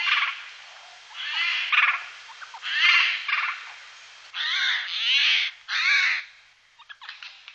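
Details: Eurasian jay calling during the day: a run of harsh, rasping screeches in short broadband bursts, roughly seven over seven seconds, some doubled, with brief quieter rasps toward the end.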